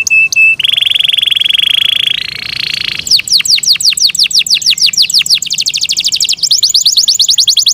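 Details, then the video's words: Kept Yorkshire canary in loud song, opening with a sustained buzzy tone that steps up in pitch, then rapid repeated downward-slurred chirps running into a fast high trill. "Yorkshire canary Nice sound"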